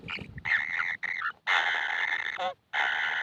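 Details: Kingfisher chicks begging for food, described as never full: loud grating, hissing rasps in quick bursts, a brief pause, then more rasping.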